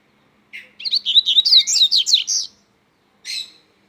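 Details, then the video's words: Strong song of a Double-collared seedeater: a two-second run of rapid, high, slurred notes rising and falling in quick succession, followed after a short pause by one brief buzzy note. "coleiro mateiro cantando forte"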